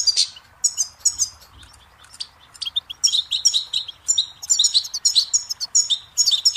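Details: Goldfinch singing a rapid, bright twitter of clipped high notes in bursts, with a brief pause near the middle before the chatter resumes strongly.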